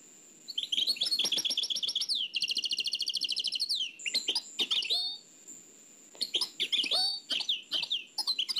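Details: Nightingale song, Oued El Alaig, old cassette recording: dense high trilled phrases repeated quickly for several seconds, then scattered loud clicks and sweeping whistles separated by short pauses, over a thin steady tape whine.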